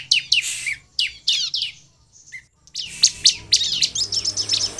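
Bar-winged prinia giving sharp, high chirps in quick bursts, a brief pause, then a denser run of bright twittering notes.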